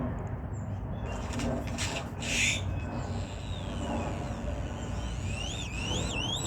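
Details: Grackle at a park in Denton making strange noises: harsh creaky clicks, then a series of rising, looping squeaky whistles near the end, over a steady low rumble of traffic.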